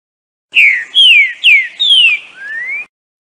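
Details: A green-winged saltator singing a lot, recorded for training, gives five rich, clear whistled phrases in quick succession, mostly slurring downward, the last one rising.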